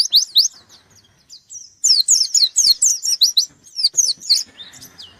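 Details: White-eye (pleci) in gacor form, hunting for a rival: quick high twittering notes, a brief lull, then a vigorous flurry of shrill, sweeping chirps that slows toward the end.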